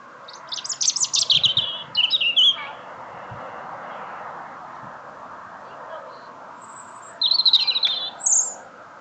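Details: A small bird sings to greet someone home from work, delivering dense, sharp twittering phrases in quick succession, then a soft murmur of background noise before another high, chattering run and a final squeak.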